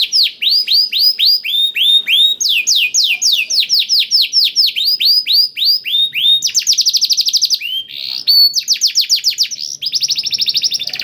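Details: Canary with learned blackthroat song, intended to get canaries singing fast: repeated curved whistles about four per second, shifting to higher sweeps, then dense buzzy trills and bursts of rapid falling notes.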